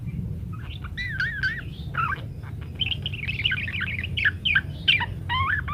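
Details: Parakeet singing in a varied, continuous warble of wavering whistled notes and rapid twitters, played as a master track so munias learn to sing quickly; low hum beneath.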